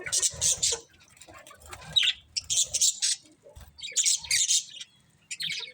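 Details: Colourful budgies chirping: rapid bursts of high, scratchy chirps in quick clusters, with brief pauses between busy runs of chatter and a soft low patter underneath.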